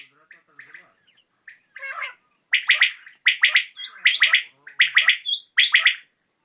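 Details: Common quail calling in the evening: sharp three-note bursts, bright and clipped, repeat about every half second to second after two seconds of fainter scattered notes; higher thin notes overlap, suggesting more than one caller.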